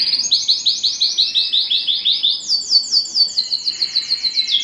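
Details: Canary singing to prompt breeding: a chain of rolling downslurred notes repeated about four times a second, then a higher, faster series of similar notes dropping lower at the end.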